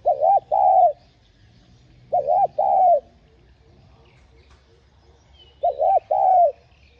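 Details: Spotted dove, known locally as cu gáy, full song with calling, urging and low cooing phrases used to lure wild birds; arched hollow coos in paired groups of two or three, repeated about every two seconds.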